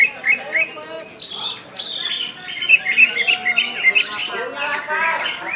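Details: Kept greater green leafbird of West Kalimantan stock in gacor, ngentrok song: clipped whistles followed by a lively, fast series of high chirped notes and slurred whistles, several loud peaks, soft low voices underneath.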